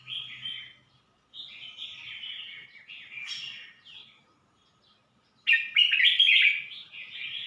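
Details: Red-whiskered bulbul singing in Suan Phueng, Ratchaburi, Thailand, a string of cheerful fluty warbled phrases separated by brief silences, ending in a louder, fuller, tumbling burst.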